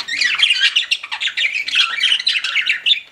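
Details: Pet budgerigars in a flock chattering without pause, a buzzy, warbling tangle of high chirps and squeaky notes, fast and uneven, with no other sounds.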